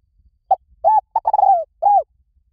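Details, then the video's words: Spotted dove call used to lure wild doves in quickly, in any forest: a short note, a curved coo, then a stuttering run of rapid notes ending in a falling coo, and a final arched coo, over near silence. "เสียงนกเขาใหญ่ หมานๆ ต่อเข้าเร็ว ป่าไหนก็เข้า"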